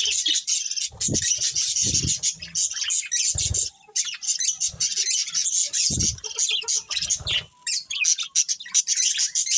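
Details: Budgerigars, a colony with a breeding pair, chirping and squawking in dense bursts of high chatter broken by short pauses, with occasional low knocks.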